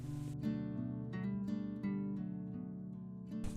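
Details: Plucked acoustic guitar music with strummed chords and a steady low melody; no animal calls are heard.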